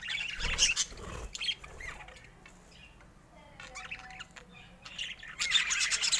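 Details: Pet budgerigars chattering: bursts of high, scratchy warbling open and close the passage, with a quieter stretch of soft chirps between and a few low thumps early on.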